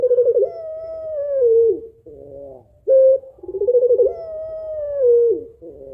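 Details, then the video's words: Puter pelung dove, a female calling to get a lazy male cooing; a rolling, wavering coo opens into a long, slightly falling drawn note, then softer low murmurs and a short clipped coo, repeated twice. "Puter Pelung Betina Memanggil Jantan Malas Agar Mau Bunyi Manggung Gacor"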